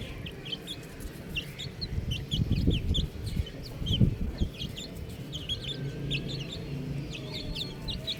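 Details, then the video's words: Young buff chicks chirp continuously: bright, brief falling peeps from several birds at once, dense and uneven, with soft low rumbling and rustle in the background. "Adorable Little Chick Sounds | Amazing Baby Chicken | Chirping Sounds"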